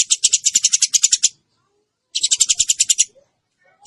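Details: Eurasian tree sparrow audio combined with Java sparrow song: two rapid bursts of bright, high, evenly spaced chirps, about a dozen each, separated by nearly a second of silence, with a final short note.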